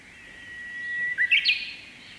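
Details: Wild Japanese bush warbler singing in May, on a morning when it perched on a silver grass seed head: a long, steady whistled note, then a quick burst of three or four rising, warbling notes, with faint background hiss.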